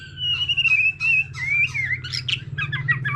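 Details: Varied song from a mature wild-caught white-rumped shama performing with a laughingthrush: long wavering whistled phrases slurring up and down, then a burst of rapid, harsh scratchy notes, with a constant low hum beneath.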